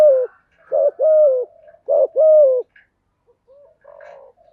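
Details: Spotted dove decoy song used to train newly caught doves to sing: mellow, low cooing phrases, each a short note and then a longer drawn-out coo, repeated about every second, with softer fading coos near the end.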